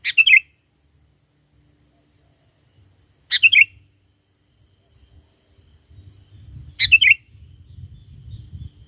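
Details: Sooty-headed bulbul song used to lure wild bulbuls: three short, sparkling phrases of tumbling, descending notes, about three seconds apart, with low rumbling noise in the later part.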